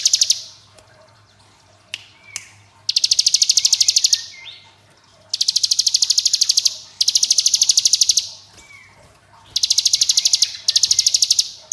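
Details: Long-duration ngebren song of a hill prinia, five extended rattling bursts of very fast high ticks, each lasting about one to two seconds, with short quiet breaks holding soft curved whistles and clicks.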